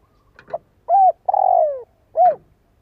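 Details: Decoy spotted dove cooing to stir other birds into calling: faint broken notes, then a rounded short coo, a long buzzy coo dropping in pitch, and a final arched coo.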